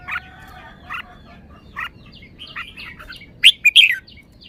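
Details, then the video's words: Red-whiskered bulbul praised for its fine song phrasing: a loud burst of three quick rich warbled notes near the end, after scattered brief chirps and many faint downslurred whistles from other birds in the background. "นกกรงหัวจุก จ้าวมาดี สำนวนดี"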